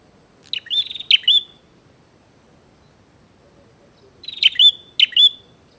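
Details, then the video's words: Bar-winged prinia singing loudly to provoke a fight: two clusters of quick, sharp chips with buzzy trills, separated by about three seconds of quiet. "SUARA BURUNG PRENJAK GACOR NGAJAK TARUNG"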